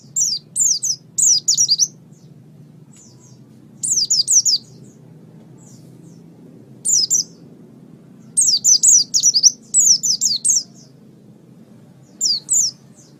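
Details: Oriental white-eye song used to train pet songbirds: short bursts of quick, high, slurred chirps, each lasting about a second, separated by pauses of one to three seconds.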